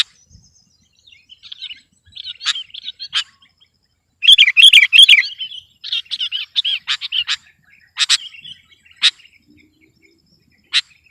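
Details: Competition-singing sooty-headed bulbul pressing its rivals: scattered warbled phrases build to a loud, dense burst of rapid chattering notes near four seconds, followed by quick warbles and single sharp chips spaced about a second apart.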